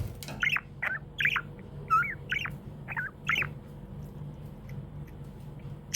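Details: Happy pet budgie giving a run of short, bent chirps about twice a second for the first half, then falling quiet, over a low background hum.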